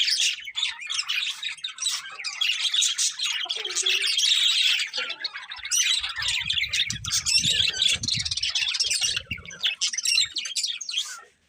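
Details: Long stretch of dense high-pitched twittering and scratchy squawks from a colourful budgerigar breeding pair, nearly continuous, with low rumbling noise in the middle.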